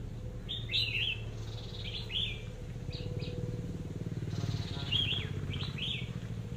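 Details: Caged decoy red-whiskered bulbul sings clipped, bouncy whistled phrases at irregular intervals while a rumbling engine and low mechanical drone run underneath.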